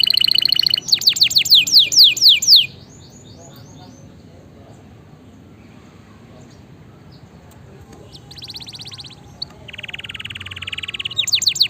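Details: Canary song for tutoring lazy canaries: loud repeated falling sweeps for nearly three seconds, then a long quiet stretch with faint background noise, and buzzy trills returning near the end.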